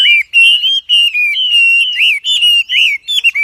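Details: Wambi singing actively, loud clear whistled notes around one high pitch, each phrase bending up then down, delivered in quick bursts with short gaps, no other sounds.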